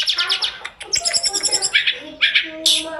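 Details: Energetic Sunda robin (tledekan gunung) master recording packed with fill-in phrases, used for training other birds: a dense rapid stutter of notes, then short bright bursts.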